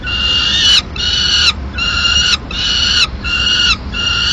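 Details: Madrid peregrine falcon nest, female delivering pigeon remains at mid-morning; six evenly spaced, drawn harsh wailing notes, each under a second long, separated by short silences.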